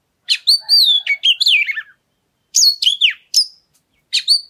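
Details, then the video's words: Lure song of an oriental magpie-robin meant to trigger singing in other birds: a long run of sweet whistles and descending slurs, then shorter bright phrases after a pause. "Pancingan Suara Kacer Segala Medan Dan Cuaca"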